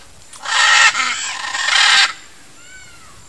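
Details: Blue-and-yellow macaw (Ara ararauna), one of a nesting pair tending a nest among trees: loud, harsh, raspy squawks, a short burst followed by a longer grating screech lasting about a second, then a faint, thin, downslurred whistle.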